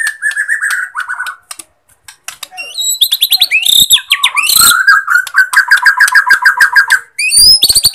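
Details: Bornean white-rumped shama song, played as a lure to stir sluggish or silent shamas into singing: a varied stream of fast trills, sharp high chirps and repeated mid-pitched notes, with a brief pause near the start.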